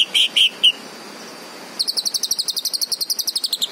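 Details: Green leafbird opening with three loud whistled notes, pausing, then launching into a long rapid trill of high sharp notes.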